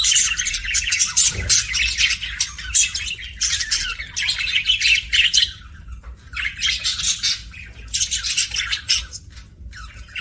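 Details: Pet budgerigar making happy chirping sounds: dense bursts of scratchy, high-pitched chatter and tweets in clusters of about a second, separated by brief quieter gaps, with a faint low hum underneath.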